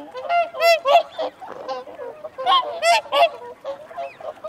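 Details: Whooper swans giving feeding and territorial calls: loud, nasal, trumpeting honks from several birds, overlapping in bursts about every half second, with softer honks between and no other clear sounds.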